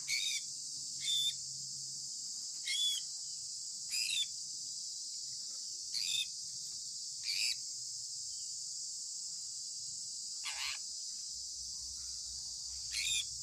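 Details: A sun conure gives short, harsh, raspy morning chirps every second or two over a steady insect-like hiss.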